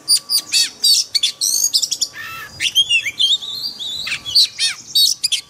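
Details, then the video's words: Daily training song of a white-rumped shama in forest style: continuous loud, rich phrases mixing sharp high notes, buzzy trills and long sweeping whistles, with a faint steady hum behind. "Luyện chòe than hót giọng rừng mỗi ngày"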